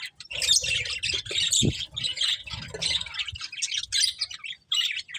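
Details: Budgerigars chirping: dense, scratchy warbled chatter with squawky notes, mostly high-pitched and continuous, with brief pauses and a low thump partway through.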